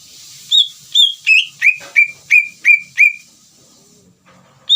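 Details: Lure song of a greater green leafbird, meant to rouse a rival leafbird to reply: eight ringing whistled notes dropping in pitch step by step, then a pause of quiet before one more high note begins.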